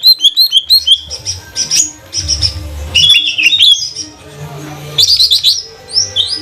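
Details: Cucak ijo trotol, a green leafbird from Banyuwangi, singing as a lure for other birds. Bursts of rapid high chirps alternate with fuller whistled slurs, with brief pauses and a low background hum.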